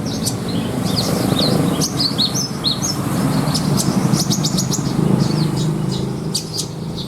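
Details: Javan bushlark, a caged bird with a luxurious mimicry 'isian' fill for song contests, uttering scattered high slurred whistles and sharp clicks above a prominent steady low hum.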